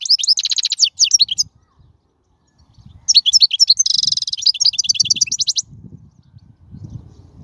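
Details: Song of a wild European goldfinch for training young birds: long fast sequences of high, jangling twitters and buzzy trills, about three to four notes per second, with a low murmur in the background.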